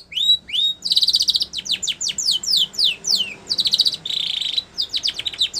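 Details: White Spanish Timbrado canary giving training song for young canaries: rising whistles, buzzy trills and rapid series of falling chirps in alternating phrases.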